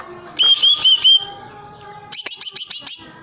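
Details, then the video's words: Energetic song from a caged greater green leafbird: a few looping whistled notes, a pause, then a quick string of about six sharp high chirps. "Burung cucak ijo gebrak kandang gacor"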